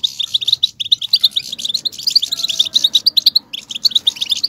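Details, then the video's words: European goldfinch song used to excite males into singing: quick bursts of high, tinkling chirps and short trills in a rapid stream, a brief gap near three and a half seconds, then the chatter resumes. "بتبتة الحسون صوت وصورة, بتبتة الاقوى لتحفيز الحسون بشكل مجنون"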